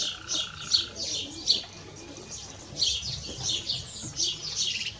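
A canary-goldfinch hybrid sings a fast, high twittering song of bright chirps and trills in quick bursts, with a faint steady hum behind.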